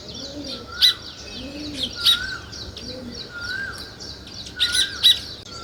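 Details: Sparrows, shown with weaver birds building nests, in India: a busy chorus of quick, high, overlapping chirps, with sharper bursts every second or two. Soft, low cooing rises and falls underneath.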